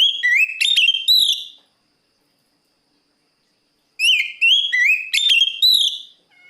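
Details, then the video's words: Oriental magpie-robin singing toward a rival, giving two strong phrases of varied whistled notes, rising slurs and sharp chips, about four seconds apart with silence between. "suara burung Kacer gacor plong memangil lawan"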